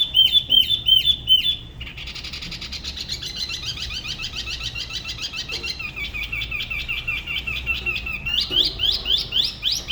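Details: A spot-throated babbler from La Ba river, Da Lat, sings solo. A few looping whistles give way to a long dense, buzzy trilled passage, ending with clearer repeated notes. Its singing style is said to differ from other regions.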